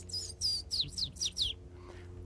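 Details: Indigo bunting, a migrant just returned, male and female present, in open scrubby habitat: a quick run of high, sweet whistled notes, mostly falling slurs given in pairs, over a faint low hum.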